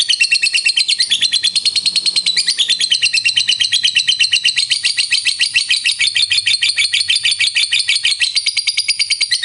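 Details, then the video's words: Lovebird ngekek panjang, the long trill hobbyists seek in fighter lovebirds, meant to raise other birds' excitement: a continuous, loud, fast high-pitched rattling trill of evenly pulsed notes lasting the whole stretch. "Suara Burung Lovebird Ngekek Panjang Pintar Naikkan Emosi"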